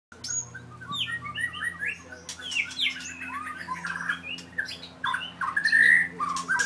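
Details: White-rumped shama, a 4-year-old very aggressive bird with a 7.6-inch tail from Merapoh, Pahang, sings varied whistled phrases mixed with harsh buzzy notes and sharp clicks, with a steady low hum underneath.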